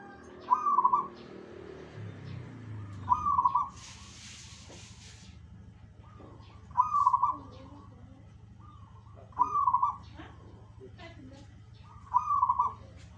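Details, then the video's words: Singing zebra dove joined by answering birds: short rolling coo phrases recur roughly every three seconds, alternating louder and softer callers, with a brief hissing noise burst early on and steady low hum beneath. "KICAU BURUNG PERKUTUT"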